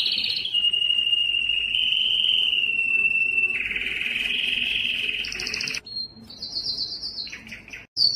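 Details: Long, steady mid-pitched rolling trill from a yellow canary that deepens and thickens midway, followed by short high bursts and separated whistled notes near the end.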